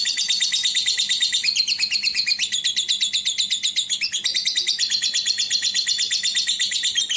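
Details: Fischer's lovebird with a rough, harsh voice, used to lure other lovebirds; continuous rapid high-pitched chattering, about three grating notes a second, with brief shrill squeaks breaking through the steady rattling stream.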